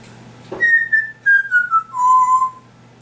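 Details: Pet African grey parrot making sound effects: a clear descending whistled series, starting high and stepping down in four or five held notes to a longer low tone, indoors.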